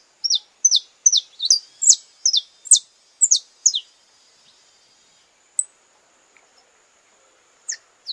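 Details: Saffron finch courtship song from Brazil: a lively series of about a dozen crisp, downslurred chirps over four seconds, then silence broken by a few scattered high ticks.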